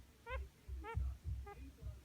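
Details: Pet budgerigar under treatment, making the abnormal breathing noise heard at times: faint, short, squeaky chirps repeated about every half second, with soft low thumps beneath.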